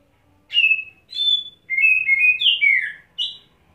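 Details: Wet-set kacer (Oriental magpie-robin) fluttering its wings and pouring out fills: clear separate whistles at first, then a fast slurred cascade of falling notes and a final short high whistle.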